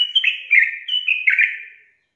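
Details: Yellow-vented bulbul song used to coax lazy birds into singing: a bubbly, slurred phrase of gurgling notes that slide down from a high whistle, given twice in quick succession, then fading out. The background is clean.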